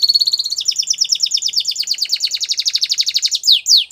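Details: Spanish Timbrado canary singing a training song, a fast continuous trill of bright repeated notes that shifts between pitches and ends with two downward-sweeping whistles.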